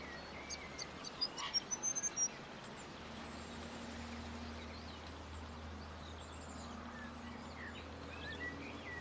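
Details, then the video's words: Grey fantail giving a brief burst of high, thin chips and squeaks in the first two seconds, then falling quiet while a low droning hum and faint background noise continue. "the story of grey fantails bird"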